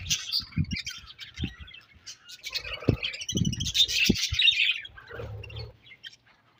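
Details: A colony of budgerigars chirping together in a busy, overlapping chatter of high twittering notes, mixed with scattered low knocks and thumps; the chatter thins out and fades toward the end.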